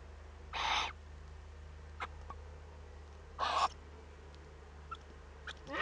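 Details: Owlet of the Eurasian eagle-owl at a camera-monitored nest in northern Rhineland-Palatinate, Germany, 15 May 2013, at its first contact. Two coarse hisses about three seconds apart, separated by faint clicks and scratching.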